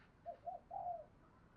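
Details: Decoy spotted dove voicing a mixed thổ-and-thúc cooing style, used to provoke wild doves and train decoy birds; faint, low cooing of two short notes then a longer drawn-out coo over a hissy background.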